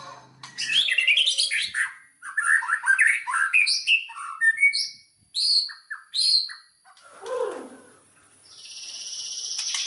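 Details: White-rumped shama song used as a lure to provoke rival shamas: a burst of mixed chirps and clear whistles, then spaced short notes, a falling squawky note and a hissing rush at the end.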